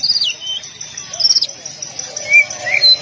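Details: Oriental magpie-robin song used to train caged birds, tight-shot style: a descending whistled slur, a held note, a sharp downward flick, then short rising chirps later on.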